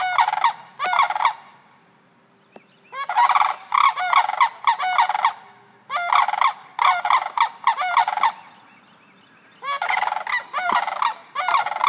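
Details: Sandhill cranes in Sarasota, a family with chicks, give loud, rolling, rattled bugling in bursts of two to three seconds with brief pauses, reacting to background sounds they hear; faint background hiss.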